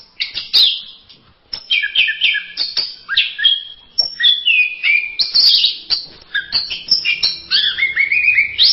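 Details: Orange-headed thrush (anis merah) in a varied masteran song, a dense, almost unbroken medley of chirps, trills and whistled notes after one short pause early on, loud and clear.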